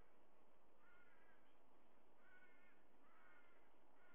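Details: White-bellied sea eagle on a nest camera giving three spaced, harsh honking calls, each a short quavering burst, against a steady hiss and low rumble.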